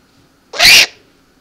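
An eared owl gives a single harsh, hissing screech lasting about a third of a second, with a faint hum in the background.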